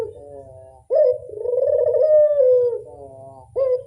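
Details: Barbary dove giving a lure call: a soft lead-in coo, then a loud, long coo that wavers and falls, followed by a softer tail and the start of another coo.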